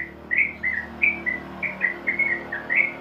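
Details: Sooty-headed bulbul giving ngeropel song used to train caged birds: crisp whistled notes spaced about a quarter-second apart, some rising, some dropping, over a faint steady hum.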